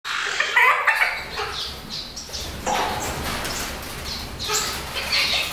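Western plantain-eater giving loud, harsh, cackling notes in an uneven run of about three per second, over a steady background hiss.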